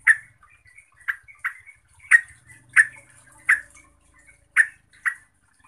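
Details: Yellow-vented bulbul (Pycnonotus goiavier) whose voice is meant to rile other bulbuls into singing and fighting: a series of brief, punchy chirped notes, some doubled, separated by short pauses over a quiet background.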